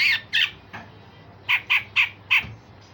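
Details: Grey-cheeked bulbul tutor giving rough, sharp notes: two harsh bursts and a fainter one, then four clipped, hoarse barks in a quick, slightly uneven row.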